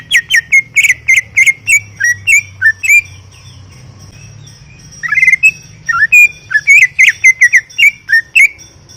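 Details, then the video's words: Lively greater green leafbird song: rapid chattering whistles, a short pause, then a renewed run of bright warbled notes repeated in quick succession. "Full Gacor 40 menit CUCAK IJO"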